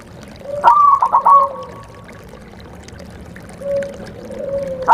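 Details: Zebra dove call played in rainy season to encourage a reluctant bird to sing: a rapid stuttering series of coos with a drawn-out tail, then a lower soft hooting note, and a fresh coo starting at the end.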